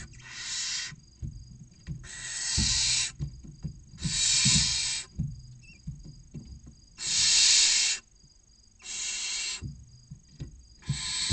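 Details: In a nest box near the visitor centre of Cabañeros National Park, Spain, six young barn owls awaiting prey deliver six harsh, rasping hiss calls at irregular intervals, backed by thuds and scraping.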